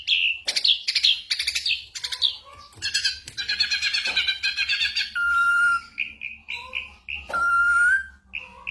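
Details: Ashy drongo singing a mimicry-filled tutor song of gunshot sounds and other birds' voices, meant for training white-rumped shamas during moult; varied chirps and sweeps, a dense warbled stretch, then steady whistles at about 5 and 7 seconds.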